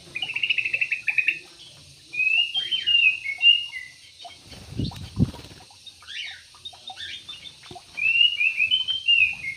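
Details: Yellow-vented bulbuls in an aviary; short bubbly, liquid phrases of warbled notes recur every couple of seconds over a steady high hiss, with a brief low thump midway.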